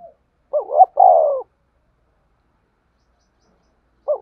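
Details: Spotted dove lure call used by trappers to draw birds to lime sticks: one clear low coo phrase, two quick rising notes then a longer falling coo, with the start of another phrase at the end; clean, no other sounds.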